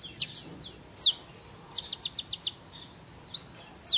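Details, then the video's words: High sunbird (kolibri ninja) song for training caged birds: isolated sharp downslurred notes separated by pauses, with a quick run of five falling chirps in the middle. "kolibri ninja gacor"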